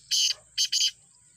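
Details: Black francolin giving three loud harsh grating notes, one and then a quick pair, against a quiet background.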